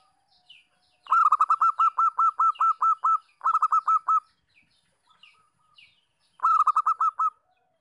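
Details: Local zebra dove in breeding condition calls vigorously. Long strings of quick, clipped, bouncy coo notes follow one after another, about a dozen in the first run, then shorter runs separated by soft, quiet murmured notes.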